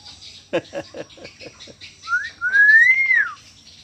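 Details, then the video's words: Indonesian hill myna, a talking bird, gives a short burst of clicking pulses followed by a clear whistle that rises and then slides down, with a brief upward note before it. "Indonesian Beo Bird | speaking back | Amazing Talking Bird"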